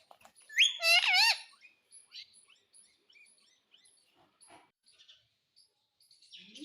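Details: Talking Indian ringneck parrot, said to speak the word "mummy", makes one loud, rasping, harmonic call lasting about a second, followed by scattered quiet clicks and faint chirps.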